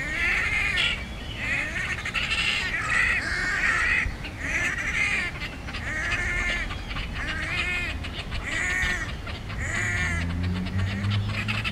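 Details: Great crested grebes in a fight utter loud, nasal, braying calls repeated about every second, each with a strong ringing tone, interspersed with crackling notes and a low drawn-out moan near the end.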